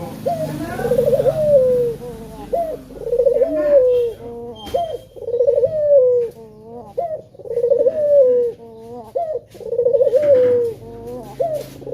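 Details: Male spotted dove calling actively as a lure to prompt other doves to sing: a bubbling, trilled coo followed by a long, gently falling note, repeated in a steady cycle about every two seconds.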